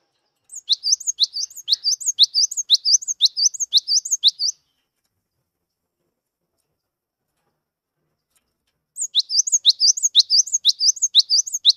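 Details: Cinereous tit, a skittish 'wingko' type bird that sings readily, used as a lure to get silent tits singing: rapid high two-note phrases, a sharp note then a rising slur, repeated about twice a second in two bursts separated by four seconds of silence.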